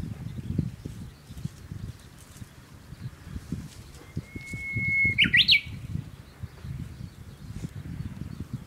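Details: Japanese bush warbler singing on a walk, described as a skilled singer: a long, steady whistled note followed by a quick, abrupt flourish of sharp rising and falling notes, amid low outdoor rumble.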